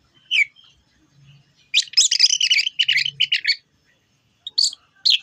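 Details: Orange-headed thrush, a kept songbird, giving a dense run of rapid, scratchy high chattering notes lasting about two seconds, framed by single sharp whistled calls; a faint low hum sounds briefly twice.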